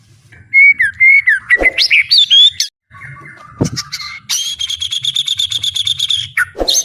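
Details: A fighting-spirited captive white-rumped shama in full-volume song: slurred whistled phrases climbing in pitch, a sharp click, then a long fast rattling trill of evenly repeated notes.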